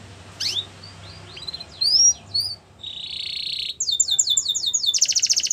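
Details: Canary training song: scattered high chirps and sweeps, a sustained buzzy rattle, then fast repeated falling notes and a dense high trill.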